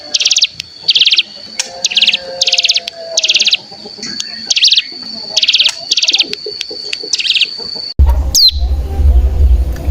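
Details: Bar-winged prinia lure sound, a 'bren' trill meant to stir other birds into song: short buzzy rattling bursts, about ten in eight seconds, then a sudden loud low rumble and a single downslurred note.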